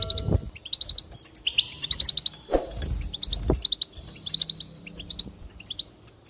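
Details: Goldfinch song to encourage singing: rapid liquid twitters and clipped chirps in quick runs, with a drawn-out buzzy note, accompanied by a few low knocks and bumps in the background.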